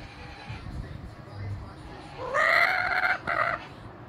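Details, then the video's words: Kookaburra in Brisbane, Australia, calling near a person who is talking to it; after soft speech, a loud, rising harmonic call in two bursts about a second long. "kookaburra Brisbane Australia"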